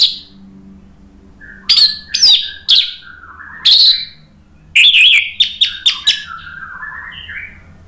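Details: Orange-headed thrush song, used as a lure to agitate a bird that has stopped singing so that it answers. Loud, sharp, high notes in short bursts, then a run of rapid whistled chips and a soft descending warbled phrase at the end.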